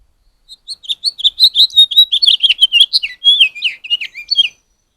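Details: Male house finch warbling a rapid, jumbled song of varied high chirps and slurred notes for about four seconds, near fledglings fresh from the nest in the first brood of the year, recorded on a trail camera.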